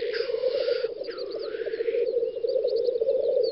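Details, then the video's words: Black grouse males displaying at a spring lek in Western Russia, 9–10 May 2019. A dense, rolling bubbling murmur is interrupted by two long, rushing hisses, with faint distant birdsong behind. "Тетерев-косач токует"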